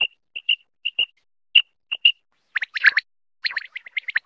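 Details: A male Common quail, recorded as a hunting lure call, gives clear, high, whistled chip notes, often doubled, about twice a second, then a rapid burst of harsher, scratchy higher notes.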